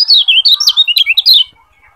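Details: Kecial kuning, the Lombok yellow white-eye, singing a tutor song for training birds: a brief rush of sharp, high, slurred notes tumbling up and down, ending abruptly.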